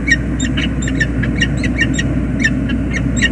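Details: Peregrine falcon pair in their nest on the James River Bridge, USA, February 2022, during a tender reunion. Softer, spaced harsh calls appear over a persistent low rumble.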